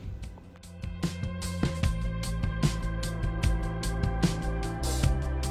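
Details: Instrumental music with a steady drum beat, bass and guitar fills the recording, and no animal calls can be heard.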